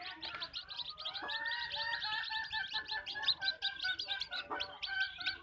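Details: Chickens clucking at a backyard farm, a steady mix of rapid high chirps and longer level harmonic calls from several hens overlapping.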